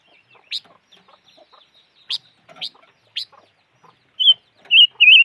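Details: Calls of the bird known locally as chim ngũ sắc, the five-coloured bird: sharp, separate high chips at irregular intervals over near silence, then three loud, wavering whistled notes near the end.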